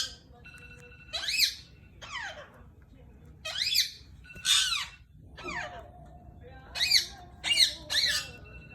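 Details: A pet male Indian ringneck parrot trying to mate gives about eight loud, shrill, squawky chirps with falling sweeps at an uneven pace, in a quiet indoor room.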